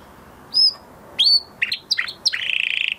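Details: After moulting, a male canary sings: two separate high whistled notes, then quick chirps leading into a fast buzzy trill.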